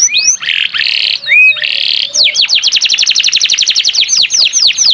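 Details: Canary, singing gacor (loud, unbroken song): buzzy rolled phrases with looping slurred notes open, then a quick steady trill of short downswept chips.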